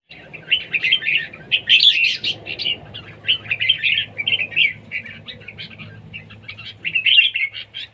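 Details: Red-whiskered bulbul singing in competition, energetic song of short, bright, warbled phrases in quick bursts, pausing briefly then resuming, with a steady low hum underneath.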